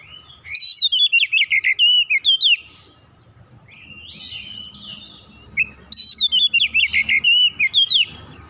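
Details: Oriental magpie-robin (kacer) tutor song for training young birds: two bursts of rapid, loud, shrill whistled and chattering notes, several per second, separated by a quieter stretch of softer warbling, with a faint steady low hum beneath.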